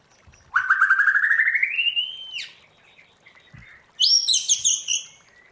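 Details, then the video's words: Forest-voice song of a white-rumped shama: one long whistle that climbs steadily for two seconds and ends in a sharp upswept note. After a short gap comes a burst of rapid, high, chattering trilled notes. "Luyện choè lửa hót theo giọng rừng hay"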